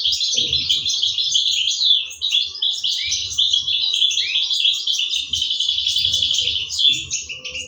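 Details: Parent European goldfinches feeding their chicks in an aviary in 2023; nonstop high-pitched chattering and wheezy twittering from the young, loud throughout, with faint low knocking sounds below.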